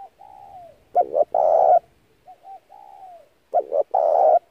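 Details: Lure call of a spotted dove for trapping: soft falling coos lead into a quick two-part note and a long, loud rough coo, the phrase given twice.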